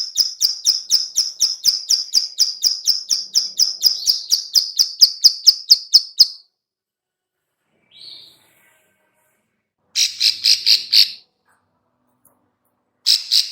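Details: Female bar-winged prinia clicking lure call: a long rapid string of high ticks that quickens then stops, followed after silence by a faint short note and two shorter buzzy click bursts.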